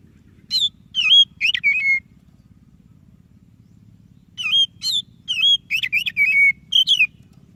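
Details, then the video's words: White-breasted Oriental magpie-robin singing energetically, a recording meant to prompt idle magpie-robins to sing: two bursts of clear whistled notes, some sliding and warbled, separated by a two-second pause, over a steady low hum. "Suara Burung Kacer DADA PUTIHH Gacor cocok untuk Pancingan Kacer yang malas BUNYI."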